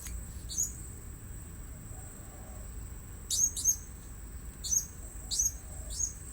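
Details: Blue-crowned hanging parrot used for luring at a new site, giving short, very high, sharp chirps, singly or in pairs, repeated every second or so against a steady thin whine.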